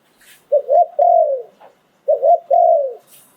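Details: Thai spotted dove used as a decoy, 'sai phon liw tan' song style. Two clear phrases, a rising double coo leading into a sustained downward-sliding croo, with faint insect-like hisses at the edges.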